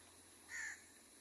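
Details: Wild crow, recorded where a baby crow is fed and angry crows call: a single harsh, nasal caw about a third of a second long over a steady background hiss.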